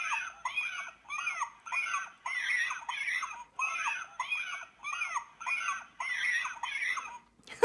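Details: Cormorant calls, possibly chicks begging their mother for food: harsh, wheezy, squealing bursts, each about half a second, repeated steadily in a noisy chorus with thin high whistles above.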